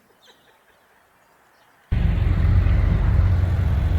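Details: Near silence for about two seconds, then an abrupt, steady low rumble like wind buffeting or a passing vehicle fills the rest, with no calls heard.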